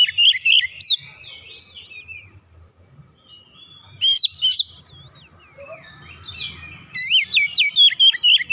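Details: Kept Oriental magpie-robin singing forcefully after hearing another bird and showing off its learned phrases. Loud whistled bursts alternate with quieter twisting warbles, ending in a quick series of sharp rising notes.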